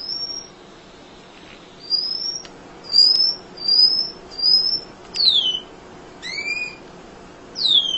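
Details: Munia (emprit) tutoring recording for songbirds: a series of thin, high whistles, mostly level or slightly falling, then a few sharply downslurred notes, spaced about a second apart.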